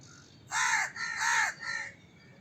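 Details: Crow cawing: a drawn-out, grating call that breaks into linked rough syllables, ending in a weaker trailing note.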